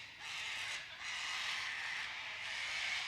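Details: White cockatoo flock that has been around the creek and all over the lawn, a continuous wash of harsh overlapping screeches from many birds.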